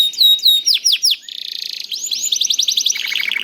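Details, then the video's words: Young canary (kenari paud) song used to prompt other canaries to sing: fast varied phrases of down-slurred whistles, then a buzzy trill, rising sweeps and a rapid repeated chip series, all high-pitched with a quiet background. "KENARI GACOR DOR NGEDUR NGOTOT CUIT CUIT NGEROL AMPUH PANCINGAN KENARI PAUD"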